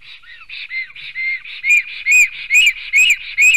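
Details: Black storks at a nest in Sigulda municipality, Latvia, morning of 11 June 2020, with two males fighting. Soft breathy whistles at first build after one and a half seconds into loud, ringing arched whistles about every half second.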